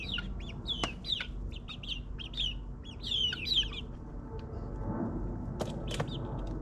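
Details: Ninth-week chicks in a suburban backyard peeping in quick descending notes during the first half, then quieter with a few sharp clicks and low rumbling noise.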